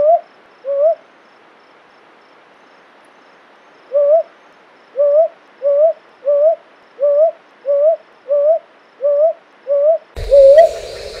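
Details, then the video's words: Brown hawk-owl repeating short, upslurred hollow hoots: two notes, a pause of about three seconds, then a steady series of nine, cut off by a sudden loud burst of noise at the end. "Brown Hawk Owl Call | Brown boobook Call"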